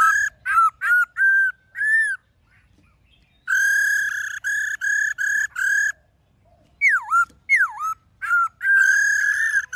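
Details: A black-throated laughingthrush sings many-voiced forest-style song: bursts of level whistles, brief silences, two deep down-swooping notes and a final long whistle.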